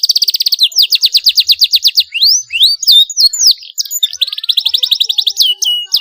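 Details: Canary song for stimulating other canaries to sing: rapid rolling trill, a slower series of downward-swept notes, scattered whistles, then another fast trill of repeated notes.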